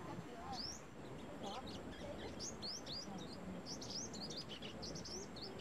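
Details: Brown-throated sunbird recorded in Cambodia giving repeated thin, high, rising chip notes in loose clusters, with scattered fainter chirps between them, over steady low background noise.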